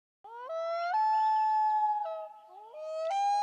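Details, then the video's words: Common loon gives long, pure, mournful notes that step abruptly up and down in pitch, each held over a second, in calm quiet. "LOON CALLS"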